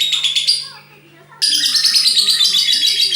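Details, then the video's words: Lovebird in ngekek song, a shrill rapid chatter that breaks off briefly and then resumes as a long unbroken trill. "love bird master ngekek panjang"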